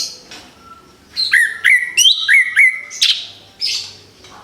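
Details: Orange-headed thrush fresh from its moult, kept by bird hobbyists. After a quiet start, a burst of clear stepped whistles and quick chirps, some notes dropping sharply, repeated about three times a second, then trailing off.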